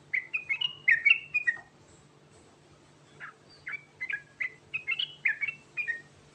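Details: Sooty-headed bulbul (Trucukan Garuda) with rolling 'ngerol' song full of fill-ins: a burst of rapid bubbly whistles, a short pause, then spaced single whistled notes picking up again, over steady low background hum.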